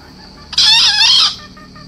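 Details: A single crow from a four-month-old green junglefowl: an abrupt, hoarse, scratchy burst of under a second with a wavering, slightly rising tone, set against a constant faint high-pitched hum.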